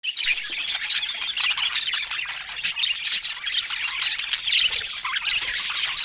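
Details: Pet budgerigars kept with other parrots give a dense, continuous chatter of overlapping squawks, chirps and scratchy warbles, high and bright throughout, with no pauses.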